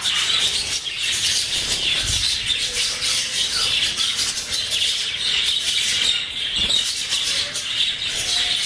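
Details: English budgerigars, one female playing on her swing, chatter continuously in a dense, scratchy warble of high squeaks and chirps.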